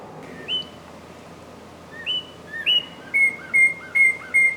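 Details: Northern cardinal giving a few scattered whistled slurs, then a run of flat, steady whistles alternating with short downslurred notes, building in loudness toward the end.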